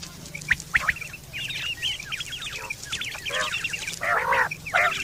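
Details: Quail sound from September 2023, used for hunting and mating: busy runs of quick high chirps, then louder harsh, nasal bursts toward the end.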